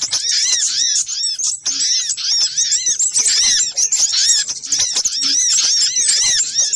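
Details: Noisy little spiderhunter lure calls from a compilation. Continuous shrill chattering of quick arched squeaks, tightly packed and overlapping, with only brief gaps in the din.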